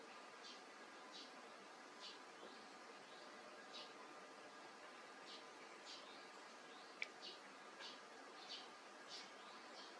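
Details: A Eurasian tree sparrow, one of a parent and fledglings visiting a home garden for chicken feed in the season's first breeding, gives soft, high chirps about every second, thin and brief over steady hiss; recorded from indoors.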